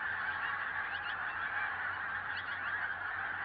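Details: Large flock of pink-footed geese in Norway producing an unbroken wall of overlapping honks and yelps, many birds calling at once with steady intensity.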